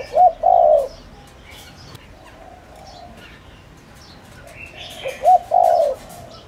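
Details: Spotted dove used as a decoy to excite wild doves into calling. It gives one full phrase of two short coos and a long coo, a quiet pause, then a second matching phrase. Faint bird twitters sound in the background.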